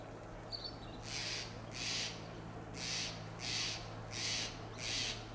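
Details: In Del Monte Forest, California, a Steller's jay perched on a tall Monterey pine gives a series of six rough, grating shack notes at fairly even intervals, with a constant low drone in the background.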